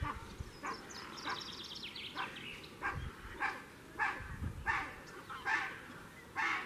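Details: Tufted ducks and common pochards at Askania-Nova during quarantine give harsh, rasping calls repeated about every two-thirds of a second, with a brief run of higher chirping notes at the start and low background noise.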